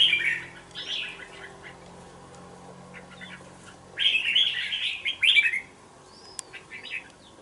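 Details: Two-month-old red-whiskered bulbul in a bổi cage gives a burst of chattering warbles, falls quiet for about three seconds, then delivers a louder tumbling phrase, followed by a few thin faint notes.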